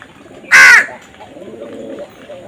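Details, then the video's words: Crow giving one sharp, grating caw, then quieter murmuring sounds in the background. "Crow Bird Crowing Sound"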